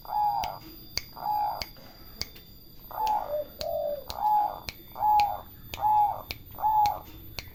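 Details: A turtle dove repeats a short, evenly pitched coo roughly every second in a steady rhythm, with one lower note slipped in midway and faint ticking clicks between the calls.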